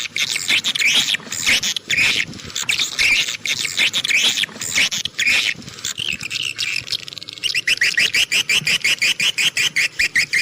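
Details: Swiftlet sound presented as clear and suited to all terrain: buzzy high chatter for the first half, then a fast regular train of clicking pulses.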